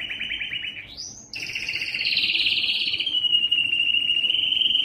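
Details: Yellow canary song: a quick trill climbs into a rising whistled sweep, then breaks into a dense, buzzy, rolling trill that carries on steadily and loudly to the end.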